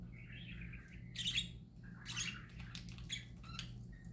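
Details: Singing parakeets: a wavering chattering warble, then loud squeaky chirps and short buzzy notes at irregular intervals, with a faint steady hum behind.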